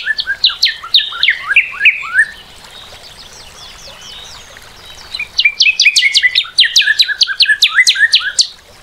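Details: Northern cardinal singing a series of loud whistles, each sliding steeply downward and repeated about five times a second. A quieter pause follows, then a second run of rapid, sharply slurred whistled notes.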